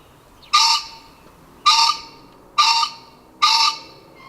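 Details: Green pheasant giving loud, harsh, broadband squawking calls, four separate bursts spaced about a second apart, each sharp at onset and fading quickly, over a quiet background.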